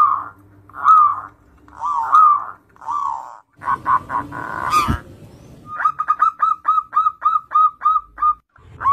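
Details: Zebra dove used to spur other doves to sing: wavering rolled coos, a burst of noisy clatter, then a steady sequence of short, evenly spaced hooked notes.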